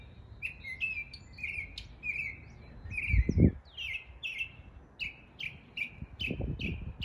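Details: Mimicking local birds in East Tennessee, a northern mockingbird delivers rapid repeated phrases of sharp descending chirps, changing pattern every few notes, with a couple of low thumps in the background.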